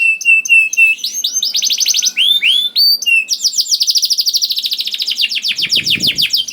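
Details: Canary song used as a lure for canaries that rarely sing: clear whistled notes and rising swoops, then a long fast trill of high repeated syllables at a steady pulse. A short low rumble comes near the end.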